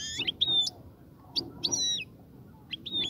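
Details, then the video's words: European goldfinch song to stimulate the female toward mating and nesting: bright whistled notes linked by sharp high chirps in short phrases with brief pauses, against a quiet low background. "صوت لتحفيز انثى الحسون على التزاوج"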